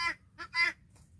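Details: Three short, raspy, rough-edged calls within about a second from a guineafowl in a flock that follows a hen on a farm.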